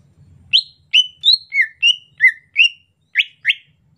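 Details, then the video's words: Soft 'ocehan lemas' chatter from a greater green leafbird during the rainy season. Nine clear whistled notes, alternately rising and dropping, come about one every third of a second, with a short pause before the last two. "ocehan lemas cucak ijo musim penghujan"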